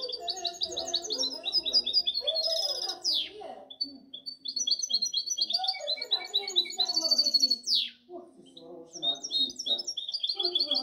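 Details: Goldfinch hybrid in full song for about ten seconds, mixing fast high trills, buzzy downward sweeps and chattering twitters, with faint low sounds underneath.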